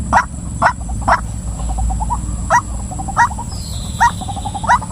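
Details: Female white-breasted waterhen uttering spaced, irregular harsh croaks with faint chattering notes between them, while a thin high whistle sounds briefly in the background over steady electrical hiss.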